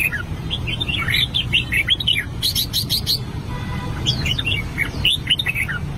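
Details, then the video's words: Albino red-whiskered bulbul practising its song: quick, bright warbled phrases of short rising and falling notes, broken by a brief pause and then resumed, over a steady low hum. "Chim chào mào bạch tạng hót luyện giọng"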